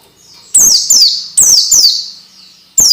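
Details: Orange-headed thrush tutoring song for young birds (masteran): loud, piercing downslurred whistles in pairs, each sweeping from very high to high pitch, with short silences between pairs.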